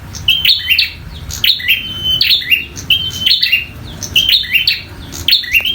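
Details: Fighting song of a local bar-winged prinia, delivered hard and fast: a bright flicked note sliding into a sustained high whistle, repeated about once per second.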